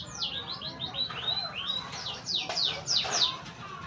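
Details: Canary rehearsing its song: a run of quick downslurred whistles, then a thin sustained whistle. It rises into loud, rapid, steeply falling sweeps repeated several times per second, all over a quiet hum.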